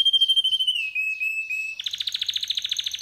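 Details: Male pet canary in song, opening with a clear, slightly falling whistle held for over a second, then switching to a fast, evenly pulsed high trill of about twenty notes.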